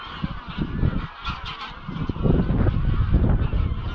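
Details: At dusk, wild greylag geese leave their grazing field for Llyn Maelog near Llanfaelog, Anglesey; quick, overlapping honks, swelling into a busier chorus toward the end, under wind noise.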